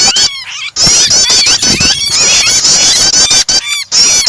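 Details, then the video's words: Starter blend of prinia and a distressed bird meant to make other birds sing: nearly continuous high, quavering squeals over scattered dry clicks, cut by brief silent gaps. "starter prenjak kombinasi burung kejepit"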